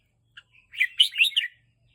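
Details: Caged red-whiskered bulbul, teased to excite it, singing playfully: a quick run of bright, buzzy chirps and warbled notes in one burst, with a faint thin note before it.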